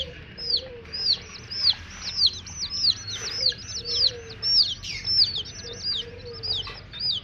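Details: Baby hen chicks peeping in a crowd: loud, high, downward-sweeping chirps tumbling over one another in rhythmic pulses, with soft lower warbling notes underneath and light background hiss.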